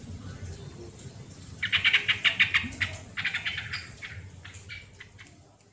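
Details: Sooty-headed bulbul lure song for stirring lazy birds to sing: a long, fast run of rich bubbly notes that grows softer and trails off into fainter, scattered notes toward the end.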